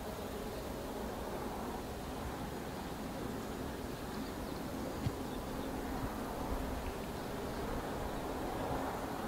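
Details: Steady broadband rumble like distant road traffic fills the whole stretch, with no animal calls standing out.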